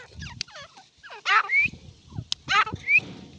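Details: Short bursts of Irani partridge calling: grating, buzzy notes each followed by a clear rising squeal, separated by brief gaps, with a few sharp clicks and low background noise.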